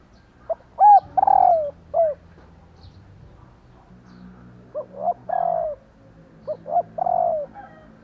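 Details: Female spotted dove calling to stir male spotted doves into cooing back. Soft mid-pitched coos come in three bouts, each a couple of short clipped notes and then a longer, drawn-out coo that slides downward, over faint low hum.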